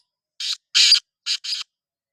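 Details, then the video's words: A black francolin calls with four rough, raspy notes. The second note is drawn out and loudest, and the last two come in a quick pair. The background is otherwise silent. "Kala Teetar ki awaz | Black Frankoline Voice | Kala Teetar voice | کالا تیتر کی آواز"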